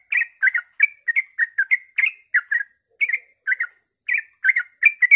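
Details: Early-morning sooty-headed bulbul song, used to coax other bulbuls into singing: tight, continuous strings of bright chirped phrases, one short note after another with barely any pause.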